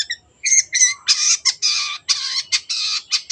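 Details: Energetic long-tailed shrike song for coaxing stalled birds to sing: it opens with a few clear whistled notes, then breaks into long rasping, scratchy bursts separated by short gaps.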